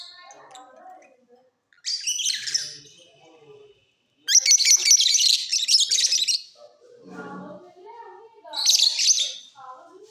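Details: Mutation lovebirds in a flying cage during the off season, chattering: bursts of harsh, noisy high chirping and squeaks alternating with quieter lower twittering and gaps.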